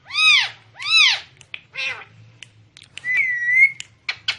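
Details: Talking parrot: two loud arched, harmonic-rich calls, then shorter squawky notes, a long level whistle and a few sharp clicks in a quiet indoor room.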